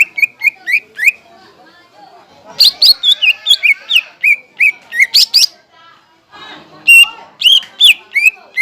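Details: Greater green leafbird singing as a lure to excite and train other leafbirds. Spaced chirps lead into a rich, twittering warble of varied notes, then scattered loud chirps and upslurred whistles.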